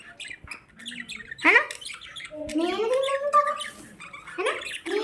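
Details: Budgerigars in a pet store chatter in a busy warble of squawks, chirps and rising whistled notes, with a person talking nearby.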